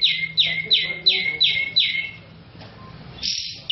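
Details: Grey-cheeked bulbul (cucak jenggot), a national champion songbird singing steadily, used as a lure to prompt other birds: loud, sharp notes that slide down from high to lower pitch, repeated about three times a second, then a pause and a brighter burst.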